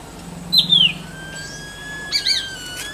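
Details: Male Jerdon's leafbird, known in Bengali as Horbola, calling to attract a mate or hold territory: two clear whistled notes sliding down from high to mid pitch, then a long steady thin tone and a few brief chirps.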